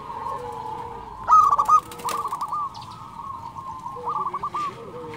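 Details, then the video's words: Zebra dove of local stock singing steadily: a loud, clipped, trilled coo phrase at about one second, followed by repeated shorter pulsed coos and faint lower cooing, possibly several birds together. "SUARA perkutut lokal gacor"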